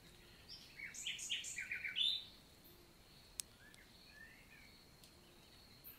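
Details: Short phrase from a common nightingale in a countryside forest of the Lot, southern France, on a June 2023 summer morning: rapid, rich, stuttering notes for about two seconds, followed by quiet with faint distant birds and a single click.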